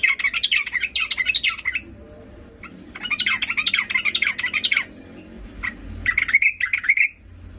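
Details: Female yellow-vented bulbul calling to a male, giving three bubbly, chattering bursts of quick mid-high notes, each about two seconds long, with short quiet gaps between.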